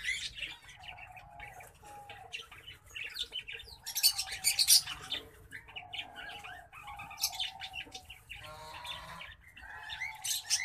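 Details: Green singing finch x black-throated canary hybrid in continuous song: mixed sweet chirps, buzzy trills and a loud bright flourish around the fourth second, followed by a rattling trilled phrase late in the recording, with a low background hum.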